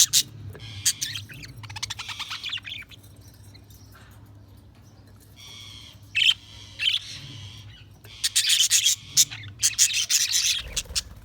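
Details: Budgerigars chirping in bursts, with dense high chattering warbles and clicks separated by short quiet gaps and a low steady hum underneath.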